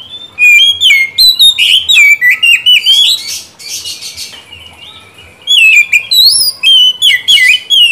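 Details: Oriental magpie-robin song used as a lure and therapy to prompt a silent bird to answer and sing regularly: loud bursts of rapid whistled notes with sweeping, rising and falling slurs, a quieter pause midway, then another bright burst.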